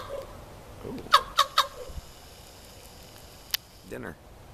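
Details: Common raven at a wildlife sanctuary in Green Bay, Wisconsin, 7 November 2015: one quick run of three clipped, hoarse knocking notes, then quiet, a sharp click and a brief murmur of human voices.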